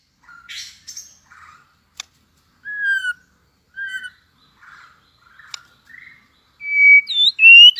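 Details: White-rumped shama just coming into fighting form, tail-flicking during competitive singing: scattered short chirps and slurred whistles with pauses, then a loud, looping, rising-and-falling whistled phrase at the end.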